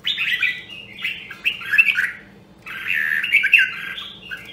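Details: Rare Nam Đông, Huế red-whiskered bulbul trained for fighting-song contests sings two long rolling warbled bursts separated by a short gap, its notes rich and chattering, with a low background hum.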